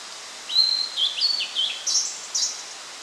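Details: Blue-and-white flycatcher (Cyanoptila cyanomelana), Japan, 8 June 2013: a short song phrase of clear, slurred whistles ending in two higher, harsher notes, over a steady background hiss.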